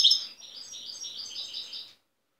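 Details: Quieter passage from a wild European goldfinch recorded in Tiaret in 2015: a sharp chirp, then a softer chain of slurred, warbling notes repeating quickly for nearly two seconds before stopping.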